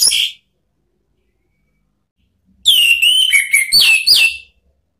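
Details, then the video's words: Orange-headed thrush (anis merah) song for provoking rivals: a brief note, a pause, then a loud run of varied whistled and slurred phrases with rapid changes in pitch. "SIULAN ampuh ANIS MERAH MEMANGGIL LAWAN ¦ PANCINGAN NGEPLONG"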